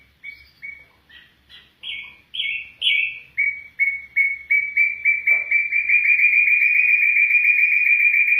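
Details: Afghan bulbul voice: spaced, slurred whistled notes that grow louder and faster, merging into a steady, rapid, even trill that runs to the end.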